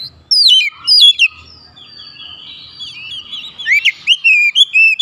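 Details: Oriental magpie-robin summoning others, which respond with vigorous singing; loud swooping whistles at the start, a quieter stretch of thin warbling, then a fresh series of short, clear whistled phrases near the end.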